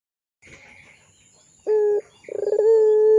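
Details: Puter pelung, a Barbary dove, in a lure recording used to tutor young birds: short pulsed onset, then two clear, steady low coos, one brief and one long and level, with faint background hiss.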